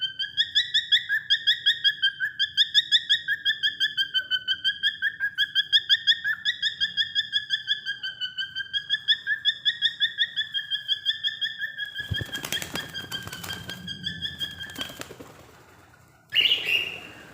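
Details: A pet cockatiel (Nymphicus hollandicus) gives a fast, steady series of bright, harmonic chirps, about three each second.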